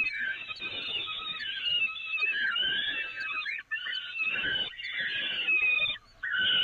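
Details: During feeding at the Evoluon peregrine nest grating, 13 May 2018, loud wheezing screams continue with two short breaks, pitch wavering up and down.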